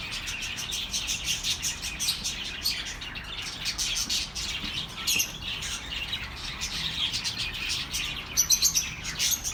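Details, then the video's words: Continuous chatter of birds to soothe lonely pet birds: rasping squawks and high chirps, then a rapid run of sharp notes at the end. "The best relaxing birds sounds for your lonely birds"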